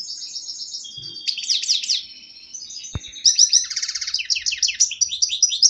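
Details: European goldfinch kept in captivity after being caught a year earlier, pouring out continuous high twittering song with tinkling, rolling phrases and a brief click midway.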